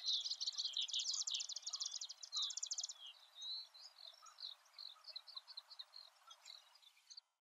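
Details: A male common reed bunting in summer plumage, singing from a high perch in a reed bed on 14 June 2013 in Japan, gives a high, rapid run of buzzy, chipping notes, then looser short, jerky chirps.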